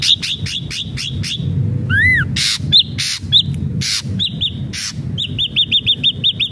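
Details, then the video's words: Ashy drongo singing vigorously, used as a lure to get captive birds to sing: a series of short, arched whistles, a brief rising whistle, and harsh noisy bursts, ending in a quick run of repeated upslurred notes. "SRIGUNTING ABU ABU GACOR PALING CEPAT BIKIN SRIGUNTING BAHAN JADI GACOR"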